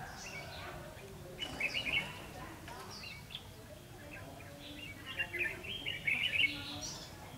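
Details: Red-whiskered bulbul recorded during trapping with a decoy bird, 9 December 2015: two bursts of bright, warbled chirping phrases around the middle-high range, separated by a quieter gap, over steady background hiss with faint scattered notes.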